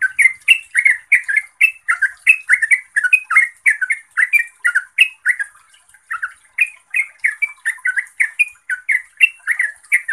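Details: A yellow-vented bulbul (Pycnonotus goiavier) chatters in a fast run of bubbly, slurred chirps, about three notes a second, with a faint high hiss behind.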